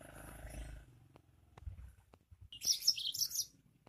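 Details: A yellow-fronted canary with a powerful voice delivers a single second-long burst of bright, high warbling notes, after low rumbling background hum and scattered clicks.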